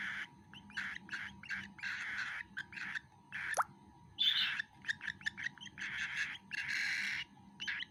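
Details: Young cockatiel taking food, a run of short scratchy begging chirps mixed with a few longer raspy notes, delivered in quick irregular succession.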